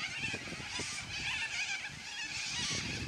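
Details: A noisy flock of yellow-crested cockatoos squawking together, many harsh, raspy overlapping calls forming a dense continuous chorus with no pauses.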